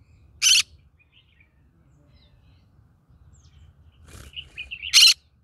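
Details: Green-cheeked conure in a rice field setting gives a single harsh, grating squawk, then after a long quiet pause a short run of soft warbling chirps ending in another loud rasping squawk.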